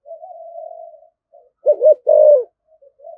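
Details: Spotted dove in the thổ voice, thúc gù cooing: a soft steady hum, then two loud hollow coo notes, the second longer and sustained, followed by faint murmurs.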